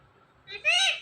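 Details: Talking parrot, one of a pet couple, produces a brief word: a quieter opening sound, then a loud buzzy-toned syllable that climbs and drops, about half a second long.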